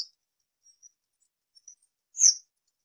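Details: Citrine wagtail giving one short, sharp, buzzy high call near the end, preceded by a few faint ticks in an otherwise quiet recording.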